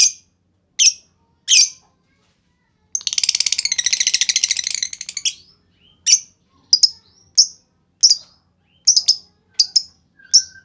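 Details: {'caption': "Lovebird 'ngetik' typing chirps, sharp and high, frame a two-second burst of fast rattling 'ngekek' chatter. Irregular chirps follow. Used as a lure to make other lovebirds respond."}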